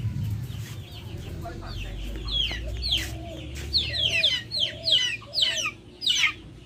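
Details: Backyard chickens kept outdoors. High, thin descending peeps come in quick bursts over a low background rumble and grow louder toward the end.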